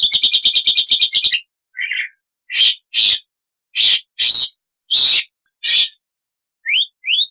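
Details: Loud gacor song of a Black-winged starling: a rapid rattling trill of repeated notes opens, followed by spaced harsh, squawky bursts about every half second and two short rising whistles at the end.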